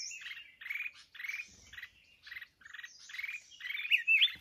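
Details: Red-whiskered bulbul during trapping with a decoy bird: repeated harsh rasping notes in a broken rhythm, ending in a couple of sharp twisting whistles.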